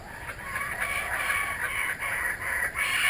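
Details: Kookaburras back around an Australian home, a dense continuous cackling chorus of harsh overlapping notes with no pauses.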